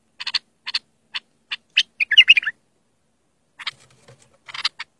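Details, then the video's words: Bulbul song for teaching young birds: a series of short, sharp chirps spaced about half a second apart, then a quick burst of warbling whistled notes, a pause, and more clipped chirps. "تغريد صافي يفيد اذا عندك بلابل صغار او بلبل ميغرد"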